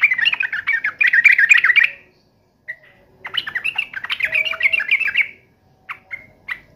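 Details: Agitated yellow-vented bulbul in fighting mode, pouring out fast chattering, bubbly phrases in two long bursts separated by a gap, ending with a few isolated short notes.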